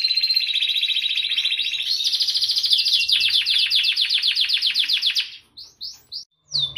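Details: Canary singing, meant as training song for other birds: a long buzzy rolling trill of rapid repeated notes for about five seconds, ending with a few separate looping whistles.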